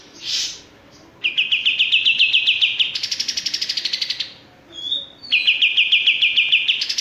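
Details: Male olive-winged bulbul giving long runs of fast repeated chirps, broken by brief hissy higher bursts and a short whistled slur between phrases.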